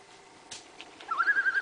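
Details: Loon calling at moonrise on a quiet August 2007 evening on Lake Saganagons; after a near-silent start, a single wavering, quavering note near mid pitch rises and trembles for about half a second.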